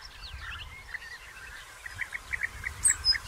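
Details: European bee-eaters at nest burrows in early June 2021, while burrows are still being dug and courtship gifts and mating take place; short liquid rolling notes, some rising, repeated in quick succession and growing louder toward the end over a faint low rumble.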